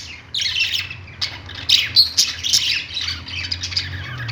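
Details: Perched budgies in a pet store give a fast run of harsh squawks and chirps, several per second, in a continuous noisy chatter above a low hum.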